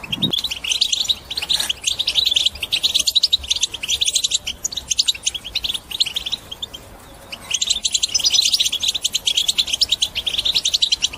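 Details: European goldfinch in batbata song, aimed at motivating other birds to sing: long run of rapid high chattering twitters with short buzzy trills, a clear pause of about a second midway, then lively singing resumes.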